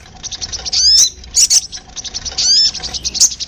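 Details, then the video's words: Lure recording of a sogon meant to draw in birds: sharp, high, thin chirps and squeaky upward-sweeping notes in short clusters. "PANCINGAN SUARA PIKAT BURUNG SOGON PALING DI CARI"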